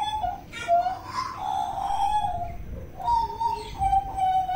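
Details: Butcherbird from Papua delivering soft, slurred whistles, a few short notes followed by longer sustained tones that slide slightly downward.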